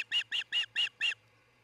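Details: At a Montana nest, an osprey gives five evenly spaced, sharp whistled chirps in quick succession. Recorded by a nest camera in Charlo around dawn on 26 June 2018.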